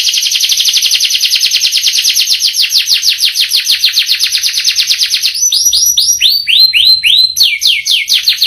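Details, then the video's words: Canary singing a long rolling song: a rapid, even trill of descending notes at about three per second for five seconds, then slower, separate swooping whistled notes. "Burung kenari gacor ngerol panjang"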